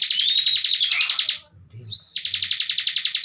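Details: Ciblek bren bar-winged prinia, caged master bird, pours out a dense high buzzing trill with a faint whistle laid over it. The trill fades, and a sharp rising whistle then launches a fresh run of rapid notes. Low thumps are faint.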